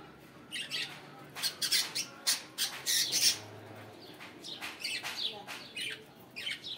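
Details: Several budgerigars on a morning, chattering in dense bursts of harsh, high, scratchy squawks and chirps that crowd together around the middle of the recording, with a faint low hum underneath.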